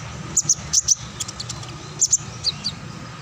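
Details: Kinglet cisticola giving a sparse ngacor song: pairs of sharp, very high squeaky notes separated by short gaps, with a couple of lower trailing chips, steady low background hum.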